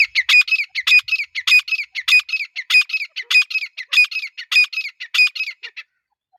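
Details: Female grey francolin (Irani/Dakhni teetar) calling, a male standing nearby: steady series of harsh, squawky notes, roughly a hundred per minute, in evenly spaced pairs with sharp high clicks, stopping after nearly six seconds.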